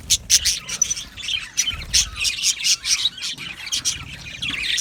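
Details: Aviary budgerigars giving harsh, scratchy squawks in short repeated bursts, several a second, mixed with high chirps and brief pauses between outbursts.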